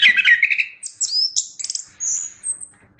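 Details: Vigorous song of a chestnut-capped thrush: rapid mid-pitched chattering warble giving way to very high thin whistles, slurred upward and downward, spaced in short separate bursts.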